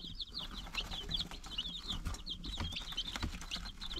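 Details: Nine-day-old chicken chicks in a brooder, a chorus of high, short peeps overlapping in quick bursts, with low rumbling and scratching noise beneath.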